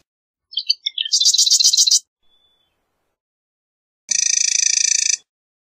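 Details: Marsh wren songs: a stuttering run of ticking notes becomes a quick buzzy rattle. After a pause, a more even, steady mechanical trill follows.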